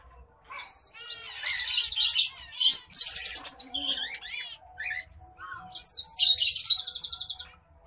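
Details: Courtship song of a white-headed munia, a small white-headed brown finch. High, thin, buzzy phrases mix sweeping whistled notes with fast pulsed trills in several bursts, a brief pause, then a final rattling buzzy run.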